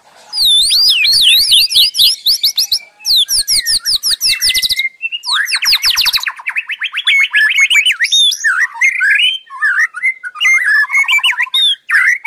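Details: White-rumped shama (murai) in continuous song: very fast, dense, high rattling trills and sweeping notes pour out back to back, later dropping into lower chattering runs and scattered whistles.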